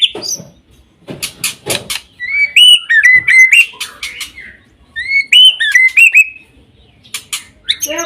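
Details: White-rumped shama singing a varied song: loud clear whistled notes with rising and falling slurs, interspersed with sharp clicking strokes, in two phrases separated by brief pauses.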